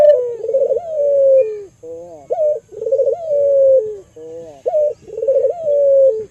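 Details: Albino local Barbary dove, a lure bird for stimulating other doves; repeated three-part coos roughly every two and a half seconds, each a short rising note, a rolling purr, then a long drawn-out note sliding gently down.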